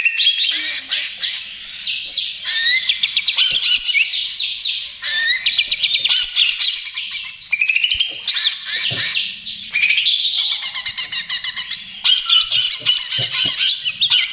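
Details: Greater green leafbird song, cucak ijo trotol style, used to lure and treat other birds: long run of rapid varied phrases, descending slurred whistles, buzzy rattles and sharp chips, almost without pause.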